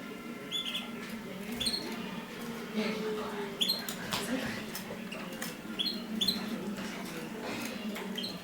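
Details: Mosaic canaries during mating: short high chirps, some in quick pairs, recur irregularly every second or so over a steady low hum, with scattered clicks and rustling.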